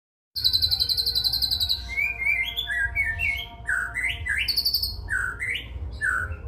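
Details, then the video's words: White-rumped shama singing in the cililin style: a fast high trill of rapid repeated notes, then a sequence of clear whistled upslurred notes, a loud varied phrase, with a low hum beneath. "MURAI BATU MATERI CILILIN"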